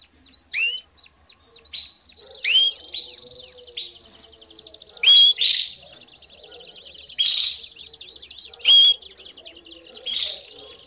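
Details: Canary singing and calling as a lesson for young birds: loud, sharp upswept call notes at irregular intervals over a soft, continuous background of rapid twittering.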